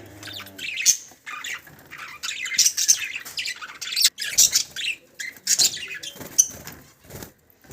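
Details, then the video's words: Pet budgerigars keep up a continuous scratchy warble of high chirps, squeaks and harsh squawks, with louder peaks scattered irregularly through the chatter. "Cute budgies sound"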